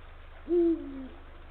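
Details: One booming low hoot from a male Eurasian eagle-owl at the nesting area in late afternoon, 17 February 2023, calling the female; a softer descending tail follows the main note.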